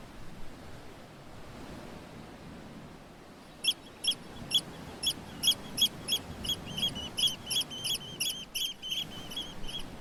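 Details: By the sea at Fossils Beach, Basque Country, a bird gives thin, high, piping notes in a steady series of about two per second, beginning after quiet surf noise that continues underneath.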